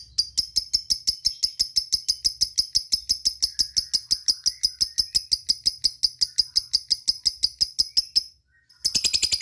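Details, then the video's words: Lovebird calling to companions with ngekek chatter: a long, steady series of sharp, high ticking chirps about three per second, a short silence, then a noisier rapid burst. "suara lovebird ngetik ngekek dan memanggil kawan"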